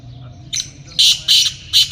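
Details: Black francolin in a hunting setting calling loudly: a short rasping note, then four harsh, grating bursts in a clipped rhythmic phrase over a quiet background.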